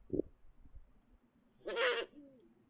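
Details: Eurasian eagle-owls courting near a nest site; a short low hoot, then a harsh, raspy, broadband call about two seconds in, followed by a brief falling tone, over quiet background.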